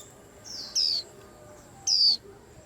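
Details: Short stretch with two loud, thin, descending whistled notes from a white-eye about a second apart, over a quiet hiss.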